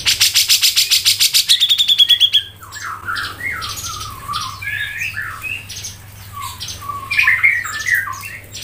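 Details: Grey-cheeked bulbul, locally cucak jenggot, singing 'ngepik rapet': a dense volley of rapid ticking notes ending in a high thin whistle, then varied softer warbled and slurred chirps, with a faint low hum.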